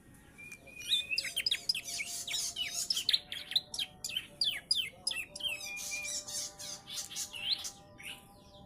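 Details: Young Bar-winged prinia, three months old, trained with ciblek song: quick high chirps and twittering, with sharp descending notes and buzzy bursts at a lively pace, over a steady low hum.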